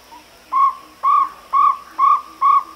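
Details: Jungle owlet giving a steady run of five mellow, arched hoots roughly half a second apart, each note slightly rising then falling, with a low continuous hum in the background.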